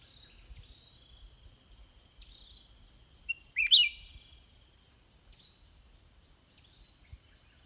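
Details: Cage-kept sooty-headed bulbul in a long exchange with wild birds; after quiet, a single quick bubbly whistled phrase rings out mid-recording, surrounded by a continuous shrill insect drone and faint distant chirps.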